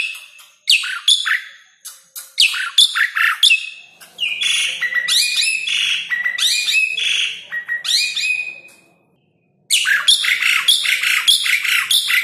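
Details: Asian pied starling master song for coaxing lazy birds or calling them in: long runs of loud, rapid chattering, squawks and whistles, broken by one brief silence before a renewed burst.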